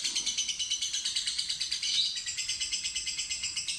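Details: Long ngekek trill from a timid fighter lovebird, used as a singing lure: a high, rapid chattering rattle of evenly pulsing buzzy notes, unbroken throughout.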